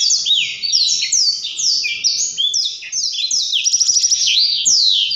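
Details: Rolling ngerol song of a Blackthroat singing energetically. A fast chain of high downslurred whistles is followed by a rapid rattling trill of repeated notes, then more sweeping slurs.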